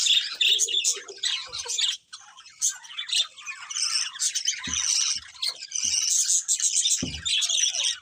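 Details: Colourful budgerigars in full chorus, a steady stream of high twittering, chirps and buzzy warbles from many birds, with a couple of soft thumps in the background.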